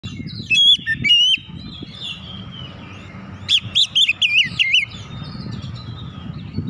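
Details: Oriental magpie-robin song used to provoke other birds into singing: two bursts of loud whistled, warbling phrases with rapid up-and-down notes, separated by a quieter stretch, over a low steady background rumble.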